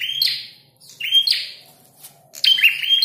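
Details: Red-headed prinia during a fight giving spaced bursts of high, harsh chirps and thin whistles, separated by brief gaps of near-quiet.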